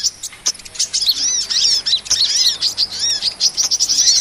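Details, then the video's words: Small-bird trapping lure with a hummingbird: continuous high twitter of swooping, arched notes and sharp ticks, fairly even in loudness throughout. "SUARA PIKAT MP3 BURUNG KOLIBRI"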